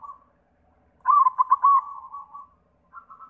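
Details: White zebra dove song used as a lure for other doves: a brief soft coo, a pause, then a loud phrase of quick staccato notes flowing into a long trilling coo, ending with softer high coos.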